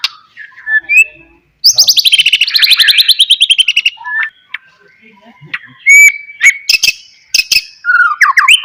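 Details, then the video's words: Singing white-rumped shama used to trigger replies from idle shamas: a soft whistle, a long rapid descending trill, then clear whistled notes, sharp clicks and a rolling lower phrase. "DENGAR KICAUAN MURAI GACOR INI"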